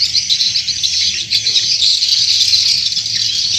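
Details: Swiftlet calls recorded as a farming lure in Indonesia: a continuous mass of high, rasping twitters and chirps from many birds, with a slight dip in intensity early on, then building to a steady dense chatter.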